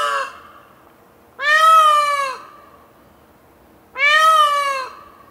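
Indian peafowl giving loud, nasal, wailing calls, each about a second long with a rising-then-falling arch, repeated roughly every two and a half seconds over quiet background.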